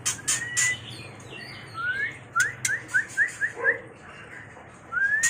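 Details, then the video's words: White-rumped shama mating call with rising whistles and high clicks, then a rapid run of six short identical upslurred notes, ending on a long rising whistle. "Suara murai batu kawin"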